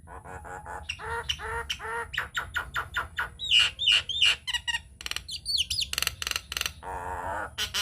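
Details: Nias hill myna lure song meant to provoke other mynas into singing: a fast run of harsh chattering notes, then bright rising whistles and loud broadband squawks in varied bursts, with a steady high electronic tone behind.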